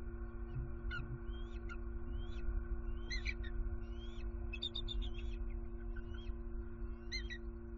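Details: Wild bald eagles in Southwest Florida on 23 September 2020, a pair returning to their nest at night on high alert, a possible owl nearby, a youngster joining in; scattered rising whistled notes and short chips over a steady low hum.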